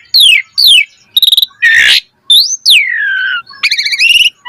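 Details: Asian pied starling song, a varied 'gacor mompa' training recording used to get birds singing: sweeping descending whistles, a clipped trill, a harsh rasping burst, then a long falling whistle and rapid stuttered notes.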